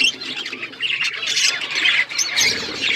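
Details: Budgerigars chirping in a flock in an outdoor aviary: a short, dense wash of overlapping warbled chirps and squeaky notes with no pause.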